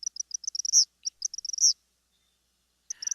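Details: Eastern kingbird (Tyrannus tyrannus) song, a bird of clearings, edges and wetland margins: rapid series of high, thin, sputtering zips ending in buzzy electric sputters, given twice, with a brief pause before another burst.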